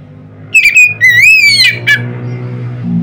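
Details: Loud Oriental magpie-robin song used to provoke other magpie-robins to sing, heard as a single phrase of sweeping, slurred whistles that rise and fall, with a low background hum.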